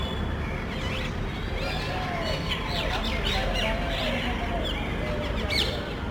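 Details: Parrots in a small group look for a place to nest among houses and utility boxes, calling loudly as if quarreling. Grating, downward-sweeping squawks repeat irregularly over constant low rumbling noise.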